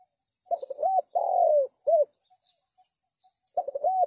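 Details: Spotted dove, used as a lure for trapping, giving low hollow coos: a stuttered run of short notes ending in a rising-falling hoot, then a long slurred coo and a short one, repeating after a pause.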